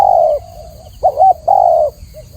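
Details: Tekukur (spotted dove) song: a long slightly falling coo, faint soft notes, then a wavering double note and another sustained coo, clean with low hiss.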